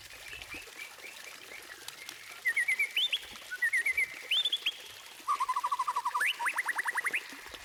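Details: White-rumped shama singing as a lure to get other birds singing. Phrases of rapid chips climb into sharp upslurred notes. The clip ends with a fast trill of steep rising sweeps.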